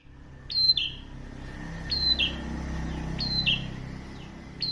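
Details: Prinia singing actively: a two-part phrase with a sharp high note dropping into a lower buzzy one. Repeated about every one and a half seconds over a low background hum.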